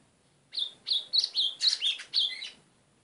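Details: Song of a White-throated seedeater: a quick run of seven loud, high, sharply slurred notes, each rising then falling, with a lower final note, delivered at about four notes per second.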